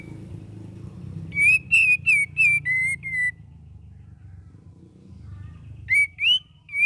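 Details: Young sooty-headed bulbul learning varied song, giving a rapid run of six short, ringing whistled notes, then after a pause three more bright whistles, some rising and some falling, over a low background hum.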